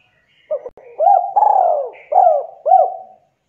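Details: Javanese spotted dove giving the dense 'kuk 2' call favoured for luring idle doves: full hollow phrase, short double note, rising coo, long falling coo, two clipped coos, with a faint higher chirp from another bird.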